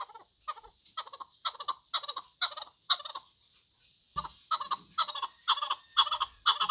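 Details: Chukar partridge repeating crisp clucking notes about twice per second, a brief gap around four seconds, then a renewed, louder run of the same rhythmic calls.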